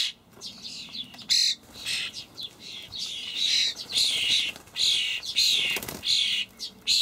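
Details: Juvenile common starlings being fed dried buffalo worms by parents in a Hamburg allotment, 28 May 2012, giving near-continuous harsh wheezy rasping, loud bursts tumbling over each other with few pauses.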